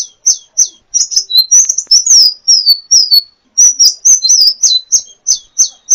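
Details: Sunbird, called kolibri ninja, a champion bird recorded as a training recording for songbirds: thin, very high chirps, each sliding down sharply, given in quick bursts with short silent gaps and no other sounds.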